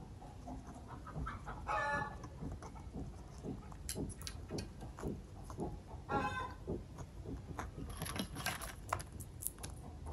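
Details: Pet Alexandrine parakeet in Pakistan gives two short, harsh, raspy squawks about four seconds apart, over steady clicking and cracking as it chews a peanut, a favourite food.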